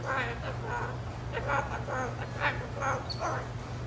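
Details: Pet Moluccan cockatoo (Cacatua moluccensis) talking: raspy, speech-like syllables in about seven short bursts over four seconds, over a steady low hum.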